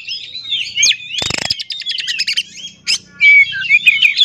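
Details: Provoking song of an oriental magpie-robin, used to get other magpie-robins singing: high warbled phrases broken by a loud, buzzy rattle, then a short sharp note and clear whistled trills.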